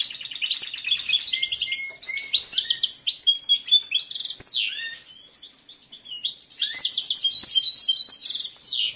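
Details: Caged male European goldfinch in breeding condition, a competition bird with a large repertoire, singing toward an unresponsive female: rapid tinkling, twittering phrases of high chirps and trills, with short pauses near two and five seconds.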